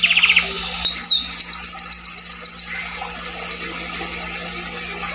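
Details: Scotch Fancy canary singing a rapid even trill of repeated upslurred notes, about four per second, after an opening buzzy chatter, then stopping into near quiet with a low background hum.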